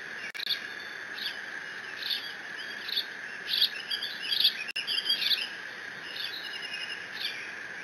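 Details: Young bald eagle, only eaglet in the Decorah nest, squees over a fish its father delivered, June 30, 2017, live cam. Run of high, slurred chirping notes, loudest in the middle, over a steady hum.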